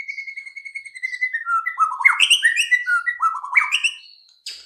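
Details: White-rumped shama singing as a lure to make other birds sing: a long, continuous, varied warble of steady whistles breaking into fast falling and rising notes, ending with a short high burst.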